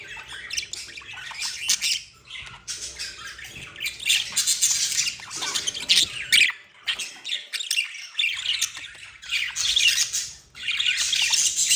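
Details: A pair of budgerigars described as in love, chattering together in a continuous high, scratchy warble of squeaks, clicks and twittering notes with only brief pauses.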